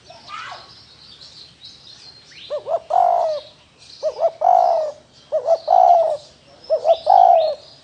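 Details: Spotted dove cooing in the Vietnamese 'thổ đồng' style: a faint high chirping at first, then four phrases, each two short hollow notes followed by a long, low, slightly falling coo, about every 1.4 seconds, over soft high chirps of other birds.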